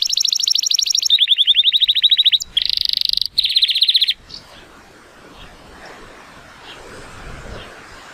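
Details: Timbrado Español canary, a male from 2018 with an 83-point rating, singing on a sunny day: about four seconds of rapid bright repeated notes in short tours, followed by faint background noise.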